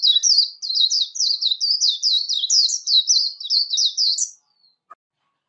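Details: Warbling white-eye giving líu competition song, used for voice training: a fast, unbroken run of high, twisting twittered notes for about four seconds, then stopping, with a faint click afterwards and no background noise.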